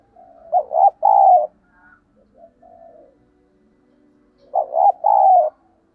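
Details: Cooing spotted dove used to entice other doves: a loud stuttering coo phrase ending in a drawn-out hoot, soft low notes in between, then the same phrase repeated about four seconds later.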